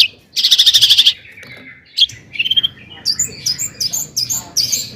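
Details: Long-tailed shrike singing to provoke rival shrikes: an opening rapid buzzy trill, a short rising whistle, then a series of sharp varied chips.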